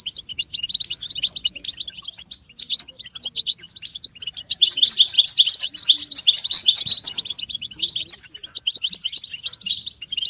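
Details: Several European goldfinches giving group 'betbeta' mating and readiness calls to stimulate caged males. Continuous high, sparkling twitters, loudest and densest in the middle section, with looser chirping on either side.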